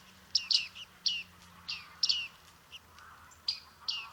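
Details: Bearded reedling calls from Liepāja, Latvia, July 2023: sharp ringing 'ping' notes, often doubled, spaced irregularly about every half second, with a faint low hum underneath.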